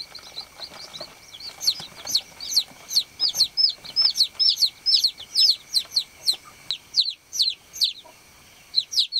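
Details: Several baby chicks chirping on a farm: dense, overlapping high peeps, some rising sharply, in a busy chorus that thins toward the end, over a faint hum.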